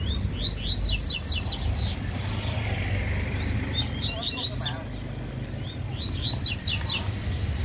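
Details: In a singing contest, a coleiro-baiano (Yellow-bellied seedeater) delivers quick runs of high downslurred whistles at the start and end, softer notes between, over a loud, constant low rumble.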